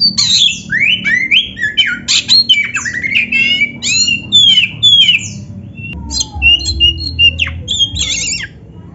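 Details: Oriental magpie-robin (kacer) singing a full, varied song used as a one-hour training master: rapid medley of whistled slurs, rising and falling sweeps and sharp clicks, tempo breaking briefly near the end, low background rumble.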